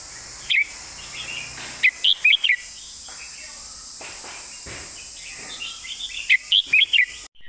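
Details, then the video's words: Red-whiskered bulbul in master-song style with elegant phrasing: an opening note, then a run of four quick whistled chirps, a quiet gap, and another brisk run of chirps, set against a steady high hiss. "นกกรงหัวจุก"เพลงแม่บท เดินสำนวนสวย"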